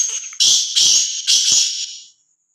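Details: Free-roaming, fearless black francolin giving three loud, harsh, grating notes in quick succession, each about a third of a second, fading out at the end.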